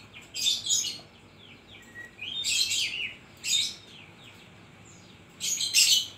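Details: Oriental magpie-robin singing busily, its song filled with koslet imitations: four loud, harsh, scratchy bursts of high chattering notes about a second apart, with a thin whistle between them, over faint low background hum.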